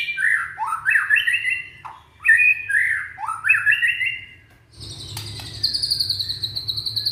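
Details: Young white-rumped shama, Indonesia, sung to draw silent shamas into song: repeated groups of rising and falling whistled notes, then a switch to a high, rapid, chattering trill.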